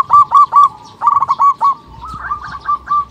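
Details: Short burst of local zebra dove lure calls meant to get other birds calling: loud, rounded cooing notes in quick groups of three and four, followed by softer, rising, chattering notes.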